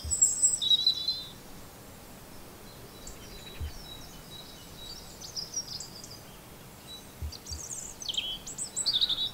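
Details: Robins singing: high, thin warbling phrases with quick twittering notes, loudest at the start and end, with fainter scattered high notes between them over steady background hiss.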